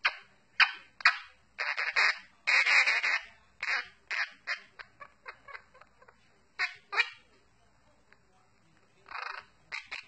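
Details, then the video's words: Quaker parrot kept as a pet, performing the Addams Family song as a loose run of rough, squawky syllables, some clipped and some drawn out, uneven in spacing, with quieter pauses and faint chatter-like notes between. "Quaker Parrot singing the Addams Family song"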